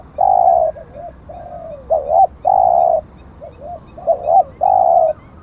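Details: Spotted dove serving as a decoy, noted as an auspicious bird: a long hoot, soft wavering coos, a sharp doubled note, then another long hoot, all low and mellow.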